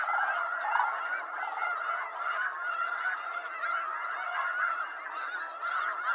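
A large flock of snow geese keeps up a dense, overlapping clamor of nasal, high-pitched honks and yelps, with no pause throughout.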